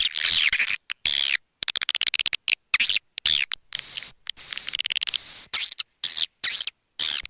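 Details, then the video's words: Calling swiftlets, played to attract the birds: bursts of shrill, scratchy twittering broken by rapid clicking series and short gaps, all very high-pitched. "SUARA PANGGIL WALET"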